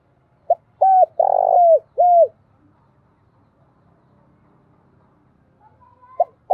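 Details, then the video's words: Spotted dove decoy call, used to lure and provoke wild doves: a short low coo, then a long burry rolling coo and a downslurred coo, clustered in about two seconds, followed by quiet and two faint coos near the end. "Chim Cu Gáy Kích Bổi Cực Nhạy. Tiếng Cu Đất , Cu Cườm Gáy Gọi Kích Bổi"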